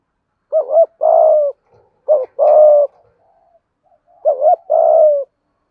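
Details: Spotted dove call meant to set a caged, long-silent dove cooing; three clear phrases, each a bouncing double note followed by a sustained mellow coo, separated by short pauses and faint soft notes.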